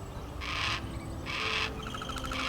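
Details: Young, weaned Yellow-tailed Black Cockatoo (Calyptorhynchus funereus) in a flock of 16 landed in a grevillea gives harsh, grating grunting begging calls about once a second, calling to be fed; faint background hum.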